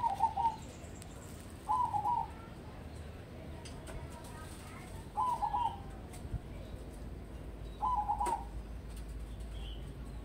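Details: Crossbred zebra dove kept as a singing-contest prospect: four stuttering, bubbly coo phrases, each about half a second long, repeated every two to three seconds over a steady low hum.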